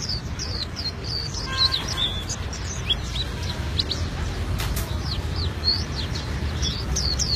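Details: Albino white-eye in full song, a continuous stream of high, quick, slurred chirps and twittering notes, with a low constant hum underneath.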